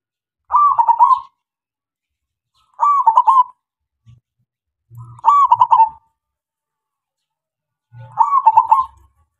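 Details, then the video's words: Local zebra dove (perkutut lokal) singing as a lure to draw replies from other doves: four fluttering coo phrases, roughly every two and a half seconds, with faint low thumps between. "SUARA PERKUTUT LOKAL SUPER GACOR MEMANCING SEMUA KUTUT DIAM"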